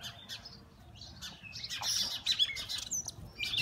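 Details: Oriental magpie-robins fighting, recorded on a mobile phone: scattered sharp chirps and thin whistled notes high in pitch, growing denser and louder toward the end with quick harsh bursts.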